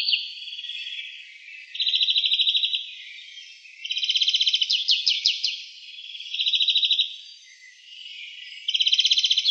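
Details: Greenfinch in Wittlich, Germany, 2018: a continuous song of alternating wheezy drawn-out notes and fast, even trills, with rippling twitters in the middle and rattles repeating about four per second.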